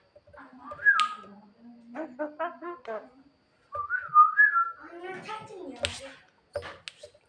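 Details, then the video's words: Javan myna singing at night, calling its mate: harmonic chattering notes, a short whistled phrase, then rasping harsh notes and clicks, with pauses between bursts. "burung jalak kebo gacor malam - malam panggil mamake cewe"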